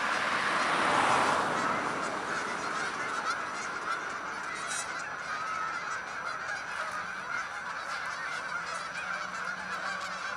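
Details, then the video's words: Canada geese in a huge flock taking off: loudest burst of honking near the start, then a sustained chorus of overlapping nasal calls repeated roughly four per second, fading slightly. "Look to the sky - Canada Geese"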